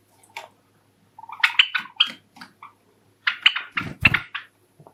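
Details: Caged Java sparrow among five pet birds, courtship song: a soft low note, then bursts of bright chirped syllables in two bouts, rising to a cluster of louder chips with some rustling and handling noise underneath.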